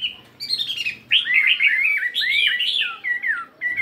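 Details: Chinese hwamei, a 72-gram caged fighting bird, singing during morning voice practice: loud varied whistled phrases, swooping and warbling, with a brief gap between bursts and faint room noise underneath.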